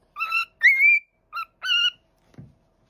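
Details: Indoor parrot gives four clear whistled notes, one a long rising slide, followed by a soft low thud.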